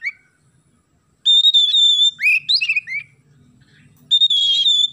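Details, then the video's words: Chatty Oriental magpie-robin song with imitated sparrow phrases, loud and clear: long sustained high whistles broken by quick sliding, warbled notes, then another drawn-out whistle. "KACER GACOR ISIAN GEREJA"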